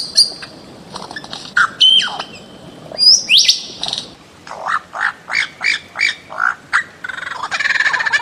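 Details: A bird-of-paradise gives a mixed series of calls: high whistled slurs and sharp upsweeps, then a steady string of about nine short, strident, scratchy notes, ending in a noisy buzz.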